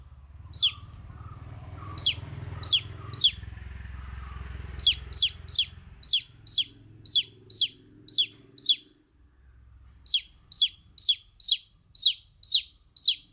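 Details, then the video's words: Baby chicks give scattered shrill falling peeps, then long steady series of evenly spaced chirps; a low rumbling background fills the first half. "Cute Baby Chicks Chirping Sound"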